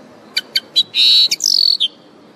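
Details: Common linnet singing: three quick high chirps lead into a sustained buzzy note, then a fluttering trill sliding downward and a final short chirp, loud and close.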